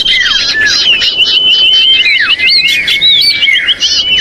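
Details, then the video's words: Common iora lure call, loud and agitated, meant to draw birds down: dense overlapping high whistles, some long and level, others sharply down-slurred or up-flicked, sounding almost continuously throughout. "Suara pikat sirtu/Cipoh ribut menjerit"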